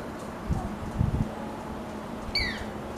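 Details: A large elaenia (Elaenia spectabilis), a seasonal visitor to a mulberry tree at a house, gives a single short, burry, downslurred note near the end, over low background hum and a few dull thumps.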